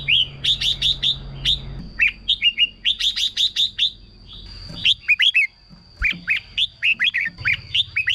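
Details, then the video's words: Red-whiskered bulbul song meant to excite caged birds: bright whistled phrases of short rising-falling notes around mid-high pitch, interspersed with rapid bursts of five or six sharp chirps, plus a steady thin high tone throughout. "เสียงนกกรงหัวจุก สำหรับต่อ หรือ เปิดให้นกคึก เสียงเพราะๆ"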